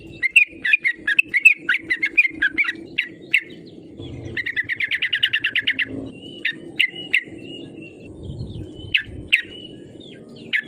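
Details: Yellow-vented bulbul, a vigorously singing bird used as a lure to provoke rivals into singing: bursts of bright chirps, then a fast even rattle of about twenty notes, then spaced sharp chips and short slurred whistles, with low background rumble.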